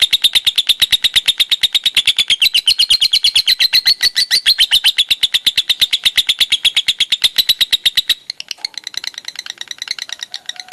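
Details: A lovebird sings a long konslet-style ngekek, a dense stream of shrill pulses with a gentle rise and fall in pitch for about eight seconds, then breaking into quieter scattered chirps.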